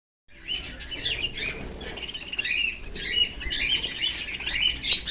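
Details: Pet Australian cockatiel calling while playing with its owner's bangles: bright, chirpy whistled notes, some rising and falling, come in quick bursts alongside constant rustling and jingling.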